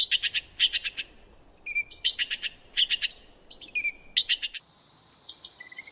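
Red-billed Blue Magpie giving bursts of harsh, rapid chattering notes, with thin whistled and squeaky notes in between; no other sounds stand out.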